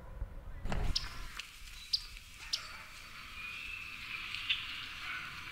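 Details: Myrtle Yellow-rumped Warbler near the Phragmites-fringed large lake in Prospect Park gives four sharp, high, flat chips, irregularly spaced and without the rising pitch of Audubon's chips. Low background rumble and a thump are heard.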